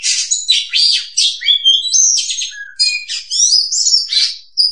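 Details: Oriental magpie-robin (kacer) song used as a trapping lure: a rapid, varied stream of harsh buzzy notes mixed with clear whistled slurs, some rising and falling, high-pitched and continuous with brief gaps.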